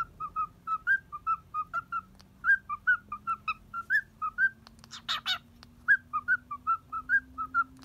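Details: Happy, playful cockatiel on a hand at a Kobe bird hotel where it is boarding; rhythmic run of clear whistled chirps, up-and-down in pitch, broken midway by a cluster of loud scratchy rasps, with a faint rising hum underneath.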